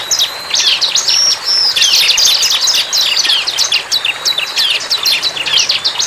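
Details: Wild bar-winged prinia in full song: dense, quick-fire high chirps and thin whistles, over three a second, running throughout with small dips in loudness.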